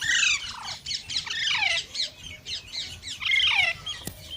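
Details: Green parrot chattering almost continuously, a dense string of scratchy, downward-sweeping squawks with little pause between them.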